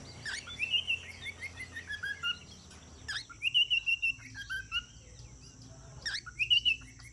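A cockatiel sings bright whistled phrases, each opening with a sharp note and falling away in chirps.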